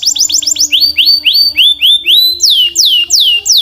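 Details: Belgian canary singing powerfully and clearly: a fast tour of repeated downslurred high notes, then slower, longer swooping slurs, then sharp falling whistles, over a faint steady low hum.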